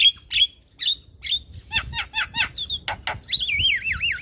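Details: Starling singing, meant as playback to set off quiet caged starlings: sharp chirps and slurred notes, then a long, clear whistle that wavers up and down like a trill.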